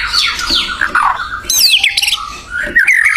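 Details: Wild white-rumped shama song: sweeping whistled slides falling and rising, loud harsh squawks and a sharp high descending note, the phrases tumbling one into the next without pause.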